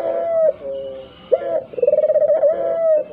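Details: Dove lure sound for drawing replies from other doves, even silent ones: the end of one low coo, a pause, then a sharp note leading into a steady rolling purr that ends on a held tone.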